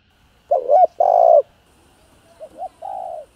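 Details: Spotted dove coo sequence for rousing caged doves. A wavering coo leads into a long steady note, then a quieter echoing pair of short coos and a fading sustained one.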